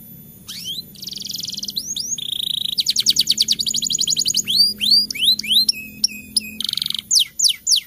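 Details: Canary singing a rolling, varied song meant to prompt lazy birds to sing during the rainy season; buzzy held notes, fast trills and bright upward whistled sweeps follow one another quickly.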